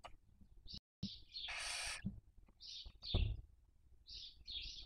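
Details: Barn owl nest on a webcam in Cabañeros National Park, Spain, during the 2023 breeding season while young are raised; one loud rasping hiss is surrounded by several brief high chirps, with a short dropout and low rumble.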